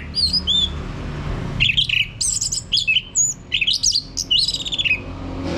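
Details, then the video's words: Orange-headed thrush (anis merah) song played as a lure to prompt a male to sing loudly (ngeplong): after faint high whistles, a run of varied clear whistled and slurred notes, some rising, in quick bursts, over low background hum. "Pancingan Ini Agar ANIS MERAH Mau Berbunyi Ngeplong Kalau jantan ya."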